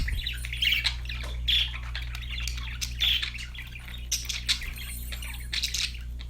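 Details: Budgerigar chatter from pet birds, scratchy chirps and warbling squawks in uneven clusters, mixed with clicking notes, over a continuous low hum.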